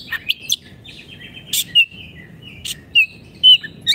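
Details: Oriental magpie-robin, kept caged, in energetic tutoring song: sparse sharp chips and brief bright whistled notes spaced by gaps, with a low murmur behind.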